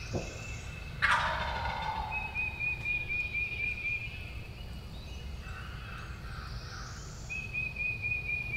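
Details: Wild turkey gobbler on opening day of the 2023 spring turkey season in Tennessee: one loud, rattling gobble bursts out near the first second and lasts about a second, over a steady high insect trill and faint distant birds.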